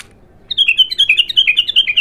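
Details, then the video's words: Untrained bulbul in its first singing session gives a loud, rapid run of sharp, downslurred high notes, about twelve evenly spaced elements in one and a half seconds, over a quiet background. "تغريد الابتر خام اول فتحـه له"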